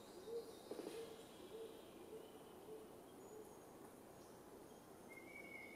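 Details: Black sicklebill displaying on a post in the Arfak Mountains, West Papua, gives about five low, hollow notes roughly two-thirds of a second apart, fading away; a thin higher whistle from another bird follows.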